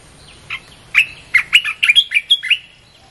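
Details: Red-whiskered bulbul song, played to lure wild birds: a short burst of quick, clear whistled notes, some falling and some rising, repeated rapidly for about two seconds after a soft lead-in note.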